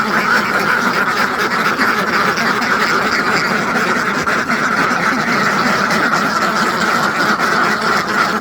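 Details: Hundreds of farmed ducks in one large flock, a dense, unbroken chorus of overlapping nasal quacks at steady loudness, no single bird standing out and no pauses throughout.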